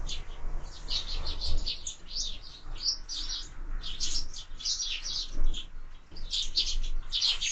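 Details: Busy flock of sparrows on feeders fixed to a window, keeping up continuous bright chirping and twittering, with occasional dull knocks and rustles from the birds moving about.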